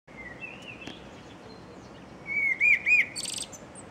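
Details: Common blackbird singing: a short low fluted warble, then looping whistled notes around the middle range and a brief high squeaky twitter at the phrase end, over a steady hiss of background noise.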